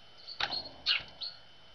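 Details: Tits arriving at a feeder early on a winter morning after a cold night: three short, high chirps spaced across under two seconds, the middle one loudest with a quick downward slide, over faint background hiss.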